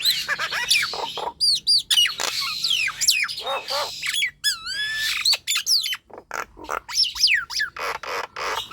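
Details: Active song of a Nias hill myna, used to coax lazy captive birds into singing: dense run of loud whistles, rising and falling slurred notes and rasping bursts, about four sounds a second.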